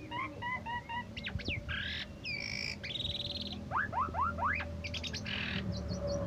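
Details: Asian pied starling (jalak suren), a former first-place winner of a 17 August songbird contest, sings a varied run: short repeated chirps, whistled notes, buzzy squawks and a series of steep rising whistles, over steady low background hum.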